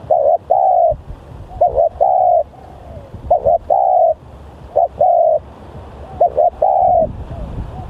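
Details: Lure call of an energetic spotted dove: a clipped note then a drawn-out husky coo, repeated at uneven intervals, with faint low noise underneath.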